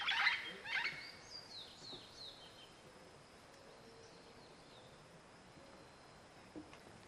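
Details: An olive-throated parakeet in Belize gives two harsh, scratchy screeches up front, then a few thin, falling squeaks, all fading into a quiet hiss of background noise.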